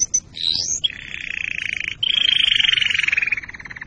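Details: Canary song meant to get canaries ready for breeding and to train young birds: a rising sweep followed by long continuous rolling trills, each held for over a second, slowly dropping in pitch.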